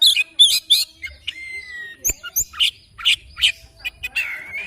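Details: Oriental magpie-robin singing in the morning: varied loud whistled and chattering phrases, sharp high notes mixed with a long level whistle, delivered in quick irregular bursts.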